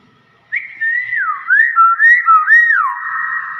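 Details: Common hill myna whistling a rapid series of clear looping notes, about two per second, that rise and fall over a steady tone, in a small indoor space.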